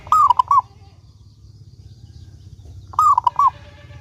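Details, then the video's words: Local zebra dove singing actively, used as a lure to make other doves sing. Two short cooing phrases, each a rising first note then quick clipped coos, about three seconds apart, over a low steady hum. "Perkutut Lokal Gacor Suara Paling Ampuh Untuk Pancingan Burung Perkutut Agar Bunyi gacor dor"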